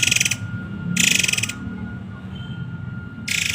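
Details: Muray Air giving a few dry ratcheting bursts of its rapid 'tembakan' song, separated by a longer pause, with a faint steady tone and low noise.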